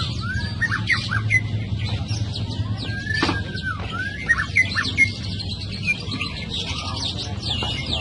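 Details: Young white-rumped shama from the forest in full, energetic song, pouring out varied whistles, rising and falling slurs and thin high chips in quick succession, with a constant low rumbling hum beneath.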